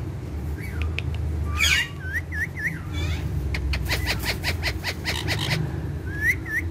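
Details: Two ringneck parrots, described as talking and dancing friends. They give curling whistled notes and a burst of rapid clicky chirps, then end on two more looping whistles against a low rumble.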